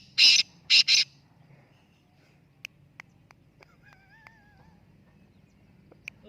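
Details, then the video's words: Black francolins, three birds set to compete, in Jauharabad: three loud harsh bursts in the first second, then only faint clicks and a thin wavering whistle from other birds. "3 teeter mokabla in jauharabad"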